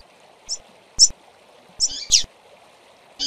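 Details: Female double-collared seedeaters calling, used to excite males: five quick, high chirps in about three seconds, two running close together, accompanied by dry clicking knocks and a soft background hum.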